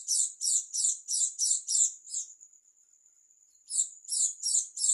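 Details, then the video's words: Strange song of a dakun Oriental white-eye from East Java: six rapid high buzzy pulses fading into a long thin whistle, then the pulsed chirping starts again. "pleci dakun jatim suara aneh"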